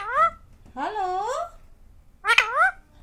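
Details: Hungry pet rose-ringed parakeet indoors, talking to ask for food: three nasal, word-like utterances with wavering rising and falling tones, the middle one long and drawn out.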